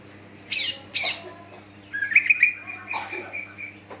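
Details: Lure song of a greater green leafbird, meant to draw responses from other leafbirds. Two harsh, explosive notes, then a warbling run of clear whistled notes, another rough burst, and a trailing whistle over a low background hum.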